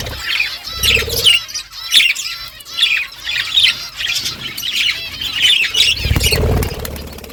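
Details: A flock of budgerigars in the morning, birds talking to each other: dense overlapping warbled chirps and squawks, many voices at once, with brief low thumps and rustling in the background.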